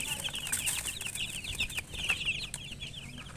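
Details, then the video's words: Loud, close chick chirping: a crowded run of short, high peeps from several birds with some rustling. "Witty MURGI Baby "Chicks Chirping" Sound"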